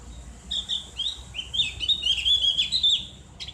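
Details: Javan grey-throated white-eye singing in the loud, open ngriwik manner meant as therapy: a continuous high warbling chatter of rising and falling slurred notes for three seconds, ending in a sharp chip.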